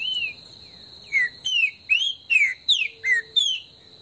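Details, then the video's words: Green-winged saltator (trinca-ferro) warming up in the woods, singing a quick run of about seven loud, clear whistled notes, some rising and some falling, over a steady high insect-like hum. "ESQUENTA trinca ferro no MATO"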